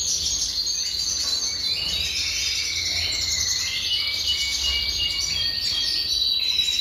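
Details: Continuous high twittering from Red siskins, 2023 season, with fast buzzy trills and thin whistled notes running without pause throughout. A faint low hum sits underneath.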